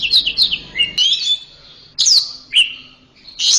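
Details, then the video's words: Orange-headed thrush song for training a caged bird: short loud bursts of high, sliding whistles and twittering notes, spaced by brief silences, with a faint low hum. "Masteran Suara Burung Anis Merah"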